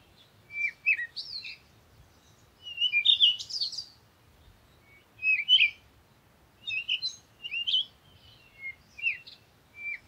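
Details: Repeated parakeet chatter, with scratchy, rising and falling chirps grouped into irregular bursts, the loudest around the middle, and faint low background noise.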